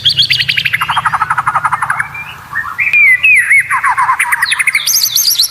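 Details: Caged white-rumped shama song used as a training recording for competition birds, with varied strange sounds: rapid buzzy trills, sliding whistles and high chirps mixed together.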